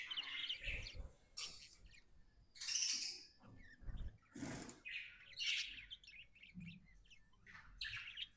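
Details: Pet budgerigar, called happy, giving intermittent bright chirps and a few harsh squawky notes, separated by pauses and soft thumps.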